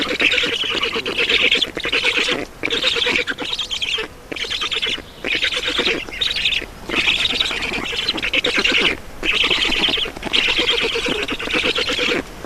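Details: During feeding at a black stork nest in Estonia on 7 June 2019 at 16:44, harsh, scraping calls arrive in regular bursts about a second long, each followed by a short silence.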